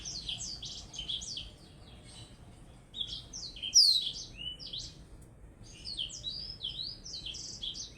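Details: Blackthroat facing a Java sparrow in a song contest, delivering a busy high warble in two bouts separated by a brief lull, with one loud sweeping whistle in the middle.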